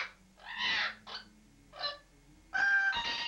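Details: Pet parrot in a bathroom at home, uttering harsh, nasal squawks in four separate bursts, the last long and loudest, with quiet pauses between them.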